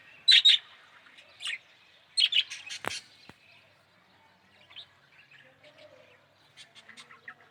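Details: Yellow budgerigar calling in short bright chirps: paired, clipped notes early on, then softer, scattered twittering after a sharp click, with quiet gaps between bursts.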